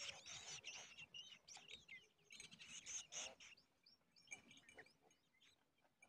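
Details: Large woodshrike at a nest crowded with many young: a busy tangle of thin, high chirps and squeaky notes in overlapping bursts, loudest early and thinning out toward the end.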